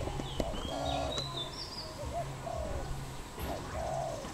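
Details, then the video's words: Cambodian wild dove, 24 April 2020, cooing steadily: deep, rounded notes in short series, a brief rising note leading into longer level coos, with a few high thin whistles from another bird early on and low ambient rumble. "Dove, นกเขา"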